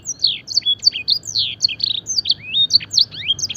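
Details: Canary singing blackthroat and edel sanger style song for training: bright, fast chirps mixed with longer slurred whistles sweeping up and down, steady and continuous over low hum.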